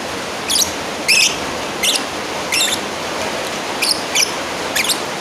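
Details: Shrill, scratchy chirps from a lovebird calling its rival, delivered irregularly at about one or two per second, with steady hiss underneath.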